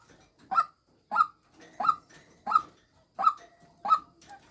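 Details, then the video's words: Lure call of a female white-breasted waterhen: six loud, nasal, clipped croaks at an even pace of roughly one every two-thirds of a second, with a faint extra tone between some notes. "tiếng chim quốc mồi mái"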